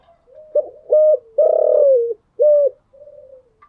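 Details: Spotted dove heard in the morning, close and clean: hollow short coos, a long vibrating note easing down in pitch, a final coo, then a softer murmured note.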